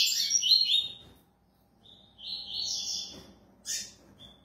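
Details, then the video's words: Double-collared seedeater of the fast-singing coleiro velocista style, delivering bursts of high, rapid twittering phrases separated by short pauses, with a faint low hum underneath. "COLEIRO - COLEIRO DE FIBRA -COLEIRO VELOCISTA"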